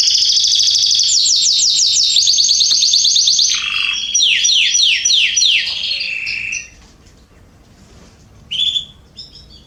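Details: Canaries singing in a garden, September 2020: fast runs of repeated downslurred whistles form rolling trills that change tempo and pitch, then stop, leaving near quiet and one brief chirp.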